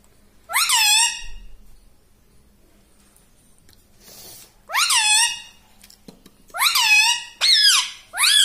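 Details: Human-like talking from a pet parrot: five harsh, harmonic, swooping syllables, spaced irregularly with long gaps at first, then three close together near the end.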